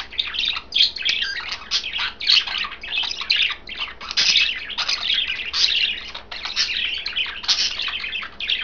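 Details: Caged budgies, three of them, green, blue and white, keep up a continuous high, busy chatter of scratchy chirps and warbles as they feed on kale.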